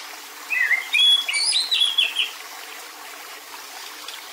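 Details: White-rumped shama giving agitated kretekan meant to provoke other males: a brief, dense burst of harsh chattering notes mixed with high whistles lasting under two seconds, followed by quiet.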